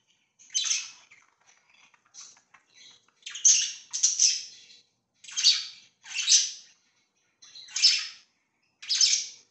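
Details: Pet budgerigars indoors calling in separate raspy chirps and squawks, each under half a second, spaced roughly a second apart with softer chatter between.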